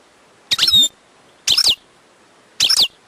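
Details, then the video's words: Wild European goldfinch giving three short, bright, twittering phrases, each about a third of a second long, spaced roughly one second apart, with quiet between them. "chant chardonneret sauvage/ تغريد حسون نار"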